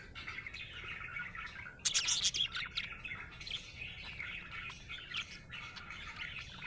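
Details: Happy budgie giving busy warbled chatter, with a sudden burst of sharp, loud clicks and scratches about two seconds in, then continuing rapid twittering.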